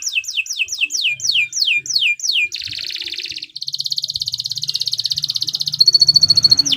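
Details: Canary in full, continuous song meant for tutoring other songbirds: a run of about ten quick downslurred whistles, then a dense buzzy trill and a shrill high rattle, with faint low background noise.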